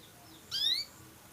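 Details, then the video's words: Songbird kept in the Indonesian bird-song hobby, offspring of a prized bird and called a future champion; a single brief bright whistled phrase with sliding high notes, sounding once against a quiet background. "Kicau mania"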